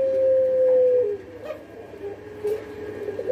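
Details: A puter pelung (Barbary dove) known for long calls gives a long, steady, hollow coo for about a second, then slides into a lower, softer drawn-out coo over faint hum; such calls are played to prompt other doves to call.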